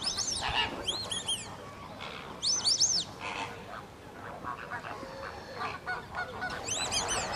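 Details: White-faced whistling duck at WWT Slimbridge giving high, thin, arched whistles in quick clusters of two or three notes, bursts near the start, middle and end, over a steady murmur of other waterfowl.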